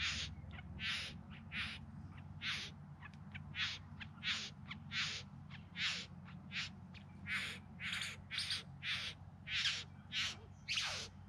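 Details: Bowerbird courtship display in the Yarra Valley, just outside Melbourne, September 2020: a long sequence of dry, buzzing, crackly notes, some short ticks mixed among longer hisses, delivered irregularly at over one per second.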